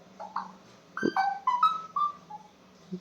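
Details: Pet parrot kept indoors, mimicking human speech: a series of short tonal, voice-like syllables with wavering pitch, mixed with brief whistly notes, over a low steady background hum.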